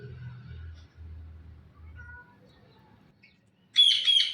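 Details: Blue ringneck parakeet, a talking parrot, gives one loud, rasping squawk near the end, broken into two or three pulses. It follows a few seconds of low rumble and faint, scattered tones.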